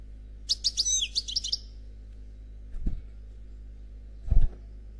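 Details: Noir Khalwi European goldfinch giving a short, high twittering phrase of about one second, followed by quiet and two dull low thumps.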